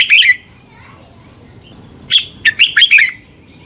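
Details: Red-whiskered bulbul song, played to train or excite caged birds in Thailand: a short warbled note, then after a pause a quick run of four or five bright, sliding whistled notes, faint background hiss.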